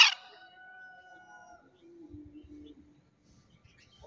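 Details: A wild green junglefowl crows once in the morning, used as a hunting lure call: a sharp, harsh opening burst, then a drawn-out ringing note about a second and a half long, fading into a lower tail, over a quiet background.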